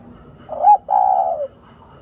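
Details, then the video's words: Spotted dove cooing: a short rising note, a brief break, then a longer steady low coo that slowly fades, over faint background noise. "Đam mê tiếng chim cu gáy"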